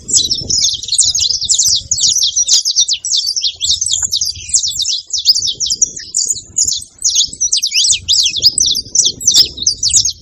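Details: Several saffron finches, called canário-da-terra in Brazil, sing together in a noisy chorus of rapid, high, sharp chirps and trilled notes that run continuously, with faint low rumble beneath.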